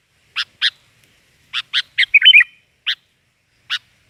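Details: Chirps from a sooty-headed bulbul, spaced single sharp notes around a brief fluttering, warbled phrase in the middle; a quiet, clean background.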